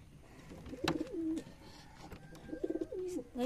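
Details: Domestic pigeon cooing shortly after laying eggs; two coos about 1.7 seconds apart, each a quick pulsed stutter followed by a smooth, level, hollow note, with faint clicks and knocks around.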